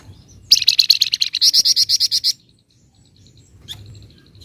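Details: A flamboyan delivers a 'gacor ngebren' burst: a fast series of about fifteen sharp, high chattering notes, accelerating then steadying, followed by silence and a single faint high note.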